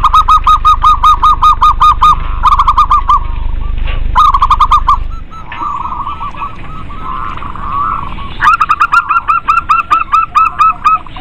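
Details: Busy lure recording of local zebra doves to prompt lazy birds to sing: bursts of rapid, evenly spaced cooing notes, a softer rambling middle passage, then the quick repeated notes again over low rumbling background.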